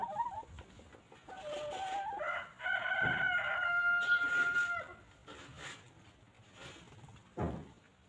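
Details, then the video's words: Chickens roaming freely on a farm, pecking at fresh grass: a loud, drawn-out crow lasting over two seconds, rising then held level with strong harmonics, preceded by short clucks and followed by scattered clucking and rustling. "Chickens Pecking and Clucking"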